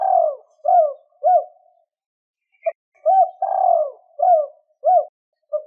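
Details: Spotted dove giving a two-ending coo meant to stir up wild doves fast. Phrases of soft, husky notes with one long descending coo and two short closing notes, separated by a brief pause.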